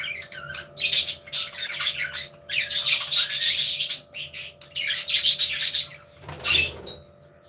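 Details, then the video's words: Budgies chattering together in an aviary: continuous harsh, buzzy warbling squawks in dense bursts, with a brief rubbing noise near the end. "Happy Budgies Sounds"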